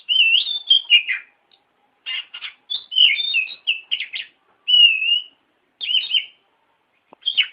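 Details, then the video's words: Master song of an oriental magpie-robin for tutoring other songbirds. Varied clear whistles and buzzy, clustered notes come in bursts, with one long steady whistle midway. Brief silences fall between phrases. "Masteran Burung Kacer"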